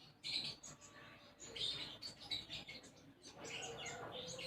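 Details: Gacor konin sunbird song with isian gereja sparrow-style fill: a dense run of high, squeaky chirps and buzzy trills, nearly continuous and irregular, lasting the whole stretch.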